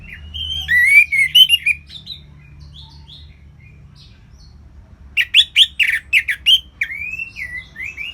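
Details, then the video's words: Warbling orange-headed thrush in ngeplong-style song: a rich run of twisting whistled phrases, a quieter stretch of scattered notes, then a burst of about ten sharp repeated notes followed by falling slurs. "ANIS MERAH Ngeplong Lemas"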